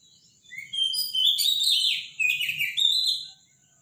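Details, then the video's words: Loud morning Robin song: two quick phrases of varied high whistles, slurred trills and thin sliding notes, each ending abruptly, with a steady high tone and faint low rumble underneath. "Robin song in the morning"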